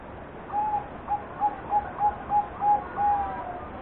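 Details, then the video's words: Zebra dove cooing: a series of about eight short, soft, steady-pitched coo notes, spaced roughly every third of a second, the last note longer, over a muffled background hiss. "Pantau suara kutut"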